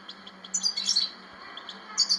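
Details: European goldfinch singing: bright, high, tinkling twitters and short chirps in quick bursts, with louder trills near the start and end and a faint steady low hum underneath.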